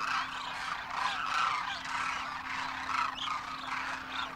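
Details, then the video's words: Huge flock of wild Demoiselle Cranes in Rajasthan, India, in winter, first-year young with parents, calling as they fly: overlapping throaty trumpet notes in a dense, surging chorus over a faint low hum. "Demoiselle Cranes darken the sky, trumpeting in flight"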